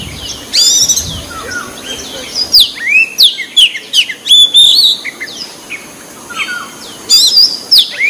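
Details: Oriental magpie-robin of the white-breasted form singing energetically in the wild, delivering varied rapid phrases of sharp chirps, slurred whistles and high twittering notes in bursts separated by short pauses.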